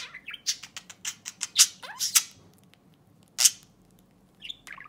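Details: Budgerigar kept as a pet chatters to its owner's fingernail in a room: a quick series of harsh ticking clicks and squeaky notes, a pause, then one loud rasping burst and soft closing chirps.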